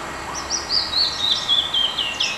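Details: Birds singing at a racquet club in San Juan Cosala: a high, thin song of quick, warbled, slurred notes, rising and falling in a rapid run, over a steady background hiss.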